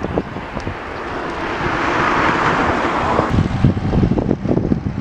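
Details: Steady roar of wind buffeting the microphone, mixed with a passing vehicle rumble that swells in the middle; no animal voices stand out.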